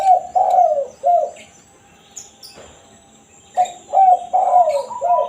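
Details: Spotted dove giving its original 'kukur kuk satu' cooing, used as a lure call for wild doves: two phrases of low, hoarse coos, each a short note followed by a longer downslurred one and a clipped ending, separated by a pause.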